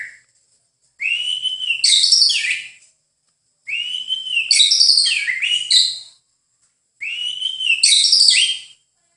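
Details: White-rumped shama repeating one phrase three times, about every three seconds: a clear level whistle that breaks into a burst of high, twisting, warbled notes.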